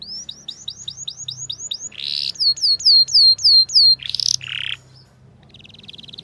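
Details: Canary tutor song used to train young canaries to sing in the ngriwik style: fast series of repeated down-slurred whistled notes, about three per second, then buzzy trills, a loud harsh burst, and a fainter rapid trill at the end.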